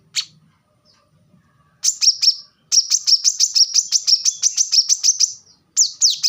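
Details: High, energetic song of a plain-throated sunbird, local names kolibri kelapa and manggar: an isolated chip, three quick notes, then a long, even trill of about twenty ringing notes and a final pair of downslurs.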